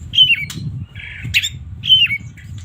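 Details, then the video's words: Oriental magpie-robin in the morning, a lure for reluctant singers: two short whistled notes that slide downward, with a brief buzzy burst between them and a faint low hum behind. "suara burung kacer gak ada ahlak"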